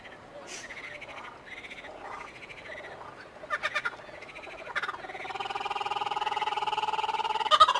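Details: Laughing kookaburra giving a rising chorus of chuckling, hooting notes that build into loud rapid rolling laughter, with several voices overlapping toward the end.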